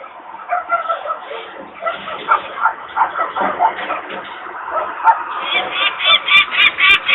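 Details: Uneven scolding from peregrine falcon parents walking around screaming near their Włocławek, Poland nest, 23 May 2022 at 14:51, disturbed by workers' noise; the calls settle into a quick repeated kak series at the end.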